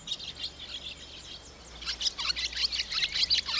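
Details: Barn swallow chicks in a nest above a milking parlour door on a rainy day give a dense, high chorus of thin twittering calls, soft at first, then building into an excited, overlapping burst.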